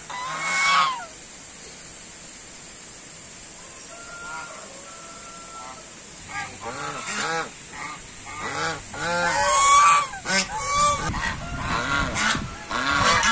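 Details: White domestic geese honking: one loud nasal honk opens, a quiet gap follows with faint flat tonal notes, then a dense, irregular run of overlapping harsh honks from several birds, with a steady hiss underneath throughout.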